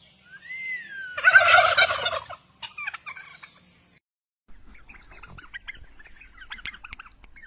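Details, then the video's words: Turkey calling: a loud, harsh rattling gobble burst lasting about a second, preceded by a rising whistled note, followed by a brief gap and then quieter scattered chirps and clucks. "Turkey bird real sound"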